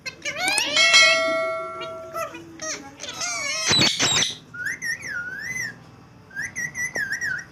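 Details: Pet green rose-ringed parakeet chattering during a squabble with another bird indoors; sustained whistled tones and a sharp squawk, followed by wavering, warbling whistles that repeat twice.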